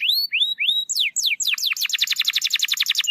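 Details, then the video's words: Canary singing, meant to stimulate a silent canary: a few rising whistled slurs, then steep descending sweeps, breaking into a fast repeated trill of short high notes. "PANCINGAN KENARI MALAS BUNYI"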